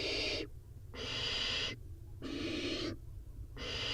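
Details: Four barn owl nestlings in a nest box react to dropped prey with loud rasping hisses, each burst roughly a second long and separated by brief pauses.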